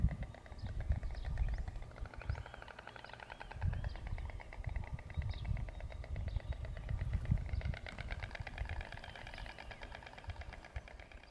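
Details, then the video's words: White Storks, a pair at their nest on a late-medieval Extremadura castle, bill-clattering during mating to reinforce their bond; fast, even rattling bursts rise and fade, with faint high bird chirps and a steady low rumble underneath. "Cigüeñas Blancas copulando y crotorando"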